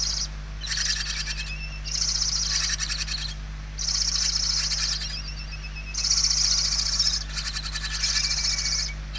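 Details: Hungry barn owl chicks inside a nest in Spain, late November 2023, one chick very weak. Loud rasping, pulsed hissing bursts of about a second each, high and buzzy, repeating with short pauses and overlapping among siblings.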